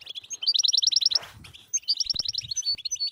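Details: European goldfinch in batbata song, played to prompt silent goldfinches to sing: a loud, rapid, buzzy trill of repeated notes, a short rushing noise, then more twittering with sharp high pips.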